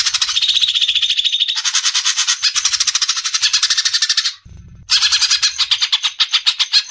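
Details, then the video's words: Caged greater green leafbird giving a dense, continuous stream of rapid grating notes, broken by one brief gap with faint low noise, used to train other songbirds. "MASTERAN...‼️ SUARA JERNIH,Besetan suara burung CUCAK IJO."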